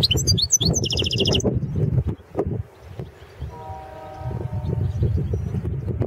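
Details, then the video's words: European goldfinch of the Balkan subspecies Carduelis carduelis balcanica, recorded for the 2016 World Championship in goldfinch song: a loud burst of rapidly repeated bright notes in the first second, then low rumbling background noise and a faint tonal hum. "World championship in Goldfinch Song 2016"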